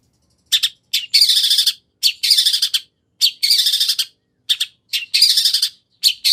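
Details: Long-tailed shrike delivering a lure song of 'nagen' fillings to make a rival shrike respond: sharp high double notes alternating with harsh, buzzy rattling bursts, repeated roughly once a second.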